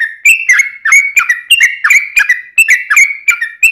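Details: Long rapid song of a yellow-vented bulbul, played to coax other bulbuls into answering: an unbroken string of short, bright, slurred whistles, roughly three per second, each starting with a sharp click, no background noise.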